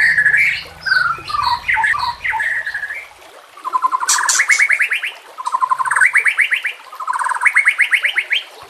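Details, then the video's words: White-rumped shama song meant to lure and train other shamas: varied whistles and slurs, then three runs of rapid rising notes, each about a second long, separated by short pauses. "Dalam Hitungan Menit Saja Murai Batu Langsung Merespon Dan Ikut Bunyi Dengan Pancingan Ini"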